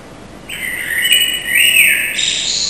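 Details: Common Blackbird of a residential street, back after winter, singing at 4:15 a.m. on 21 March 2010: a fluty warbled phrase rising and falling, sustained with high overtones over a quiet background.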